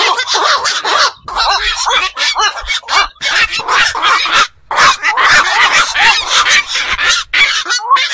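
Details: Black-crowned night herons calling after dark near ponds or fish enclosures: loud, rough, bark-like squawks repeated rapidly with brief gaps, several birds calling at once.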